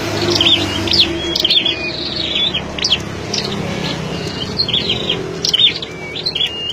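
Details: Captive flowerpeckers kept in wide mesh cages give high, thin chips and short ticking notes, several per second in loose bursts, over a low background hum.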